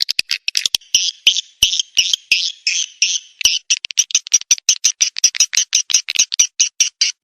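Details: Swiftlet lure sound: scattered ticks lead into buzzy twittering chirps, which then speed into a steady run of short, high, rasping pulses.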